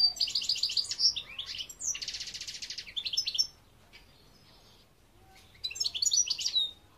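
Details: European goldfinch song, recorded in 2021: rapid, liquid twittering phrases with buzzy trills and high tinkling notes, sung for about three and a half seconds, then a pause before another bright twittered burst.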